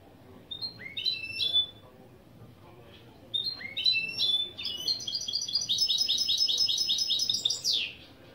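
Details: Goldfinch × canary mule, kept as a tutor bird, singing opening phrases: two whistled upslurred notes with sharp descending chips, then a fast buzzy trill of rapid repeated notes ending in a falling sweep.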